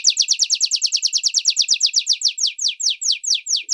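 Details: Domestic canary singing a long teaching song for young and adult Reino and Belgian birds: quick, sweeping downslurred notes that slow steadily, the spacing widening toward the end.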